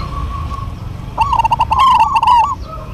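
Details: Zebra doves of the local type singing in a duet: a faint steady coo, then a loud bubbling, quavering phrase with sharp clicking notes lasting over a second, a soft note trailing after.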